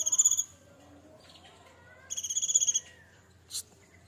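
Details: Hand-fed cinereous tit, raised in captivity from a chick and now maturing, gives full fill-in song. Two high, rapidly pulsed trills, each under a second, are separated by soft lower whistled notes, followed by a brief sharp chip.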